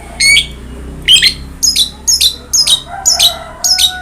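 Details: Long-tailed shrike song used as a prompt for a quiet shrike: a run of sharp, rasping high notes, one at first then paired, repeated roughly twice a second.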